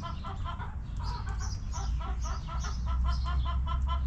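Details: Hens clucking in a backyard coop, a regular string of short, low, knocking clucks about three per second, and light bird chirps behind them.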